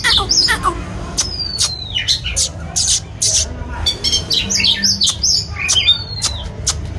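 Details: White-rumped shama, singing and dancing, delivers high squeaky chirps and long thin descending whistles broken by loud percussive clicks, in irregular bursts over a low hum.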